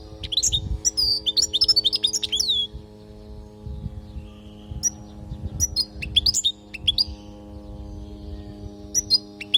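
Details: European goldfinch from Palestine, sung as a training song to teach young goldfinches. A fast run of high liquid twitters opens, then scattered chirps and trills follow after a pause, with low rumbling and a steady hum beneath.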